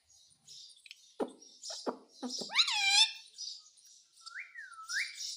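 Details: Indian ringneck parakeet, a pet said to talk in Hindi, saying mummy and mitthu: soft clicks and short raspy syllables, then a loud harmonic arching note and a thin rising-falling whistle.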